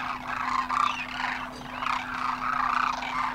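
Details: Huge winter flock of Demoiselle cranes in Khichan, Rajasthan, after a Himalayan crossing; rolling, slightly rising calls overlap in a dense chatter, with a clear steady low hum behind.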